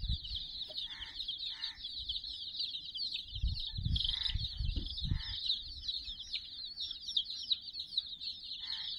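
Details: Many domestic chicks, about sixty of them, swarm a toy puppy teddy while peeping nonstop in a shrill, overlapping stream; short stretches of a man's speech and a few soft thuds break in.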